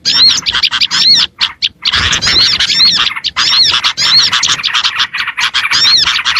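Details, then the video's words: Small-bird lure: steady stream of high, arched twittering notes in overlapping phrases, with a brief pause near the second mark. "AUDIO SUARA PIKAT BURUNG KECIL"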